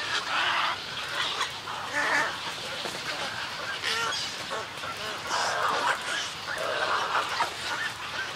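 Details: Snowy egrets in a colony giving colony and greeting calls. Loud bursts of harsh, nasal squawking come in waves a few seconds apart, with quieter grating croaks from other birds in between.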